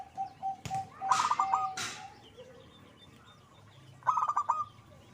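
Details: Zebra dove giving two bursts of quick pulsed coos, with a thin steady whistle and two sharp noise bursts early on.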